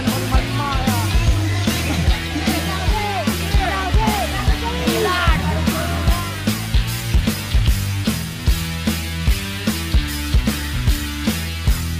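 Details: Loud rock music with heavy drums, bass and guitars plays throughout, with no animal sound heard.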